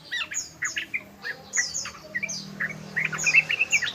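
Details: Yellow-vented bulbul, locally trucukan ropel, uttering harsh squawky chirps and bright slurred notes in quick irregular succession, with a soft low drone behind.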